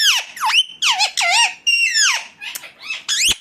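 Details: Screeching calls of an Indian ringneck parakeet, about seven harsh, strongly harmonic notes that swoop down then up, given in quick succession indoors.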